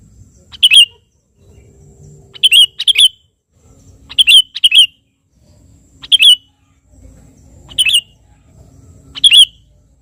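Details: Sooty-headed bulbul in active song calling a rival, repeating short bright warbled chirps, singly or in quick pairs, roughly every one and a half to two seconds, with a gentle low rumble between phrases.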